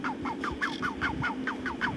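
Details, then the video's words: Captive Magellan geese at Marwell Zoo giving a fast series of about eight clipped, downward-sliding notes in two seconds, evenly spaced and fairly loud, over a constant low background hum. "Magellan Geese at Marwell Zoo, making some amazing calls!"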